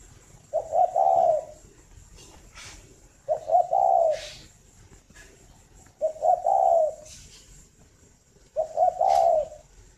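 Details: Captive breeding spotted dove in Ba Vì, northern Vietnam, singing in the morning. A steady series of four low, hollow phrases, a quick note then two soft coos, about every two and a half seconds, with faint rustles between them.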